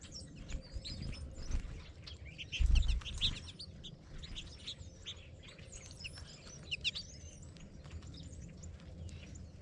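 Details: Flock of American goldfinches at a caged feeder in Gettysburg, Pennsylvania, 25 January 2022: bright, overlapping twittering chirps and sweet rising notes, with a low rumble and a brief thump.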